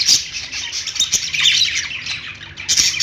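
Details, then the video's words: Pet store budgies chirping on a perch: busy, overlapping high squeaks and gritty warbles, with loud sharp tweets at the start and end. "budgies singing on perch | parakeet chirping sounds in pet store"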